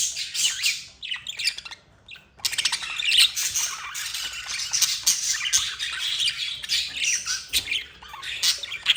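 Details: Two affectionate budgies, a bonded pair, keep up a busy, shrill warbling chatter full of rapid squeaks and chirps, quieter at first and then steady and dense.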